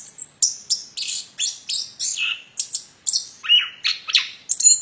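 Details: Plontang bird in lively song: quick, evenly spaced sharp chips and high twittering notes, roughly three per second, some sliding down, steady and bright throughout.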